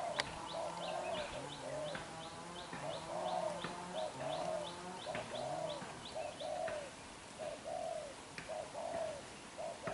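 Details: Young black-eyed spotted dove, freshly caught, cooing hard (đập gù): repeated mellow coo notes roughly once a second, mixed with a lower murmuring and a steady patter of high, thin chirps from other birds.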